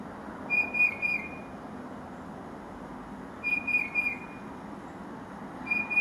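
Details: Tufted titmouse singing while a Carolina wren listens nearby; two short bursts of clear, high whistled notes about three seconds apart, each a quick run of slurred, slightly falling whistles over a steady background hiss.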